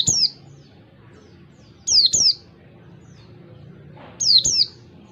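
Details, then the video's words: Pleci (Oriental white-eye) in wild-type ngalas song for training other birds: a single falling whistle, then two pairs of high downslurred notes at intervals of about two seconds, over a low background hum. "pleci ngalas 1 2 3 suara jernih cocok buat masteran pleci belajar ngalas"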